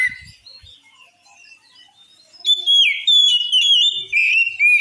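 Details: Oriental magpie-robin song said to trigger anger in other magpie-robins: quiet, thin whistles at first, then loud sustained whistled phrases with bending, warbling notes for the final two seconds.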